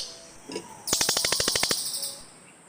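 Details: A single burst of cililin calling, a rapid series of about ten harsh, high chattering notes lasting under a second, preceded by a faint softer note.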